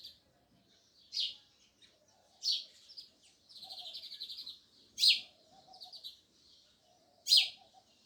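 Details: Sparrows chirping: harsh chirps at irregular intervals, mixed with a buzzy chattering run and soft lower twittering from other birds nearby.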